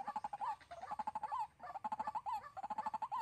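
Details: Decoy white-breasted waterhen for trapping, recorded in Sóc Trăng, Vietnam, 2 February 2021. Loud, close, rough croaks and grunts in quick bursts, mixed with short wavering whistled notes, in busy rhythmic runs.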